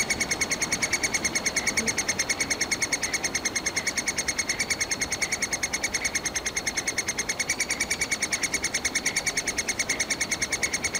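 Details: Three-toed woodpecker nestlings calling from a tree hole in Kalinovsky forest park, Yekaterinburg, demanding food as parents bring insects and ant larvae; a rapid, steady stream of high, shrill squeaks, about three per second, continuing without pause.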